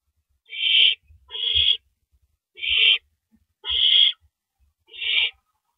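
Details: At a nest at 1:11 AM in April 2012, a male owl delivers rabbit prey. Five loud, breathy screeches come about a second apart, each harsh and hissing, over faint low knocks.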